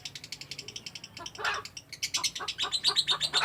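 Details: Lovebird in long ngekek: a brisk stream of scratchy, chattering notes that grows louder and harsher after a second, continuing rapidly to the end.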